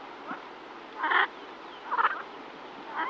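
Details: Close-up female yellow-billed pintail calling to ducklings, giving three rasping, quack-like calls roughly one second apart over a soft steady background, with a songbird faintly audible.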